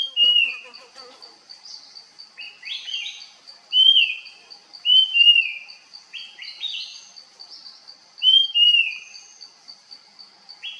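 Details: Puff-throated babbler (spotted babbler) calling while foraging: a series of clear whistled phrases, each bright and slightly falling, repeated at uneven intervals of a few seconds, with a rough rattle at the start and a steady high insect drone throughout.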